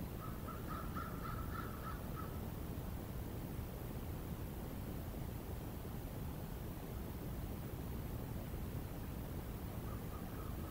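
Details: Ring-necked pheasant on January 15, 2022, giving a quick run of about eight harsh, clucking notes over two seconds, with a few fainter notes near the end, over steady low wind rumble.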